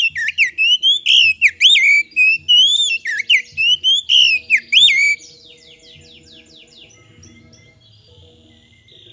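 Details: Kacer (magpie-robin) lure song to prompt other birds to respond: about a dozen loud rising and falling whistled phrases in quick rhythm for five seconds, then a faint buzzy trill and quiet.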